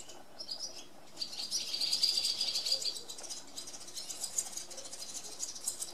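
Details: Barn swallows twittering: a quiet start, then a dense run of high, rasping chirps and trills that rises in loudness and continues in quick, uneven bursts.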